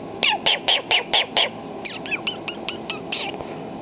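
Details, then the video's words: Pet common starling imitating human speech indoors: a run of loud harsh, speech-like syllables in quick succession, then a softer twittering sequence of squeaky, chattering notes. "WeeWoo the Talking Starling"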